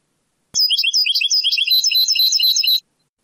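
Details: Sebtaoui-style European goldfinch song from an old cassette tape. A click opens a two-second burst of quick, jumbled high twitters and rolling trills at about 162 notes a minute, followed by quiet.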